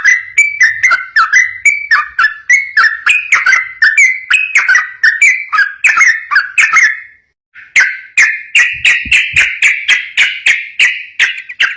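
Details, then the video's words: Yellow-vented bulbul in lively, long-running song used as a tutor recording to provoke other bulbuls into answering: quick bubbly chattering notes repeated several times a second, a brief pause, then a steadier run of similar rising notes. "Masteran burung trucukan gacor ropel bikin nyaut"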